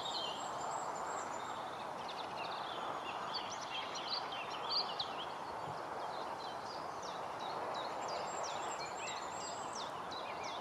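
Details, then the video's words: Mixed-singing firecrest in Bucks, 15 May 2024, sings very high, thin, rhythmic repeated phrases that mimic goldcrest song, between occasional bursts of its normal firecrest song, over steady rushing background noise. "Firecrest mimicking Goldcrest song"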